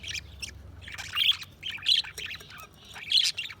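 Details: Budgerigar chirping: soft warbled twitters rising into three louder squeaky notes, each spaced about a second apart.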